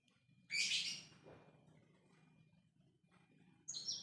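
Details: Lovebird played as a lure to prompt chattering: one loud burst of harsh, high, scratchy chatter lasting half a second, quiet low hum behind, then another short harsh burst at the end.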